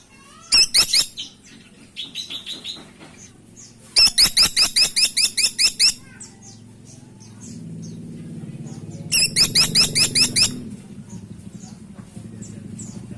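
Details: Caladi tikotok woodpecker calling in three separate bursts of rapid, harsh, high-pitched squeaky notes, each burst about one to two seconds long, with a low steady hum and faint rumbling between them.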